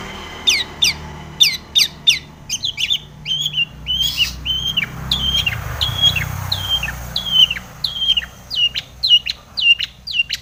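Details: Long-tailed shrike in full song aimed at prompting other shrikes to sing: quick sharp ticks followed by a long series of repeated hooked whistles, each dipping then leveling, in a steady rhythm.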